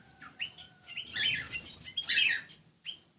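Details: Black-crested bulbul uttering a lure call: short upslurred whistles and two loud jumbled chirping bursts over a noisy background with a steady faint tone.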